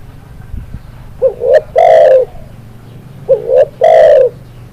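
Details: Spotted dove giving two full coo phrases about two seconds apart, each a soft upward double note ending in a loud, prolonged, rough coo; low background rumble.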